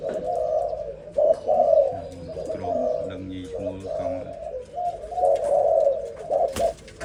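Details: Young zebra dove, a newly fledged bird, singing: soft repeated cooing notes in a low band, in uneven rolling phrases across the whole stretch, with faint low background rumble and a sharp click near the end.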